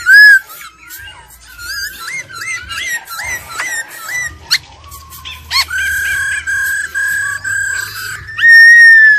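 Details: ['Old wild laughingthrush song, female trilling noted: a string of short looping whistles repeated roughly every half second, a sharp click, then sustained level whistles and a loud final whistle, with a low background hum.']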